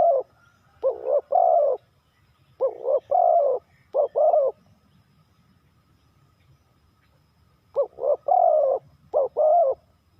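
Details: Spotted dove calling in the three-kuk hanging style, a few paired coos, one short and one drawn-out and throaty. They come in clusters, then a gap of about three seconds before the bird resumes.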